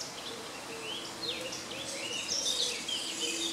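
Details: Common starling (Sturnus vulgaris) singing in a grove near Jarun, Zagreb, Croatia, late April to early May 2017: varied slurred whistles, some swooping down and others rising, mixed with thin high squeaks over a constant low hum.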